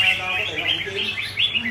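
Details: Red-whiskered bulbul kept as a cage bird, singing a quick run of bright, warbling chirps that rise and fall high in pitch, with a man talking faintly underneath.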